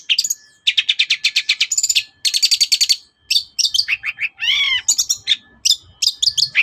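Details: Morning song of a long-tailed shrike meant to goad other birds into replying: rapid buzzy bursts of repeated high notes, separated by brief pauses, then varied whistled downslurs and one arching, harmonic-rich squeal.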